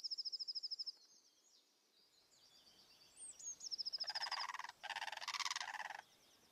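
Blue Crane giving two harsh, rattling, nasal bursts lasting about a second each; a thin, rapid high trill from a smaller bird comes before them.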